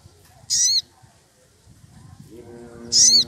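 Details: Agitated wild sogon woodpecker calling a rival: two loud, high, rasping calls, each bending downward, separated by about two and a half seconds, with a low hum entering near the end.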